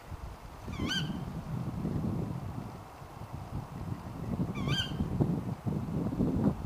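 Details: Female Tawny Owl calling late at night: two sharp, rising-then-falling 'kewick' notes about four seconds apart over a steady low rumble of background noise.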